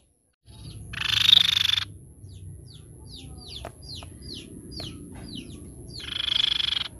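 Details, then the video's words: Crescent-chested babbler gives two harsh, buzzy, high-pitched trills separated by a run of quick downslurred chirps, over a steady thin high whine; recording used as a lure sound. "PANCING BUNYI TEPUS PIPI PERAK"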